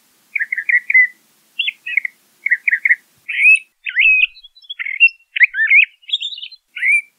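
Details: Song of a LeConte's thrasher: quick doubled chirps followed by increasingly complex warbled, looping phrases, each burst short and separated by tiny gaps, steady mid-high pitch, no other sounds.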